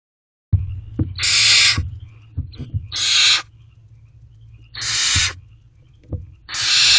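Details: Barn owl owlet in a nest box in the evening, looking outside while waiting for a food delivery: four long harsh hissing screeches, each about half a second, separated by pauses, with soft thumps and scuffles from the box.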